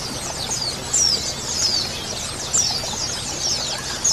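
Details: Male and female white-eyes calling together as a colony, a recording meant to prompt other white-eyes to sing: continuous overlapping high-pitched twittering, with short downslurred thin notes bursting louder around one, two and a half, and four seconds.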